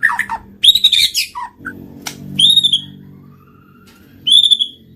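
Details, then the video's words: White-rumped shama, murai batu, song used to trigger singing and mating: high whistled phrases with buzzy overtones, short low notes between, separated by pauses over a faint low hum. "PANCINGAN BURUNG MURAI BATU MACET BUNYI SEKALI PUTAR LANGSUNG NYAUT BUNYI AMPUH BIKIN GACOR"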